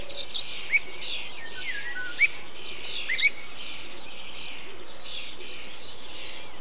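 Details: Eurasian tree sparrow calling within a bee-eater colony: a few short, high chirps scattered through the recording, some clustered near the start and around the third second, over a steady background hiss with faint lower rolling notes.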